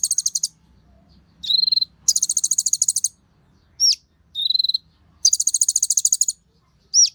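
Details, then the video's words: Sunbird (Kolibri Ninja) in an excited, energetic singing state, used as a lure for other birds of its kind: fast high buzzy trill bursts alternate with short steady whistled tones and sharp downslurred high notes, repeated over about seven seconds over a faint low hum. "Pancingan Burung KONIN gacor emosi untuk KOLIBRI NINJA"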